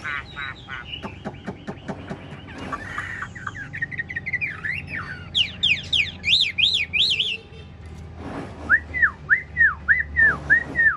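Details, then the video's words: Large captive Chinese hwamei singing ngũ trường style while bobbing its head and displaying: a varied run of whistles and sweeping slurs, then a steady series of repeated down-slurred notes near the end. "Họa mi ngũ trường bộ to hót gật gù múa lân"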